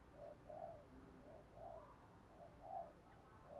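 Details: Spotted dove giving cooing and calling phrases, switching song patterns continuously: soft, low, hollow coos repeated roughly once a second in an uneven rhythm, fairly faint against steady background hiss.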